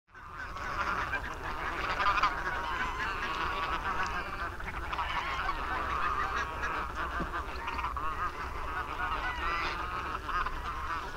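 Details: Flock of over 200 barnacle geese on the Warthe floodplain near the Warthe Mouth National Park, Poland, observed from a house window on 11 March 2015: dense, continuous overlapping yapping calls from many birds blending into a steady chatter.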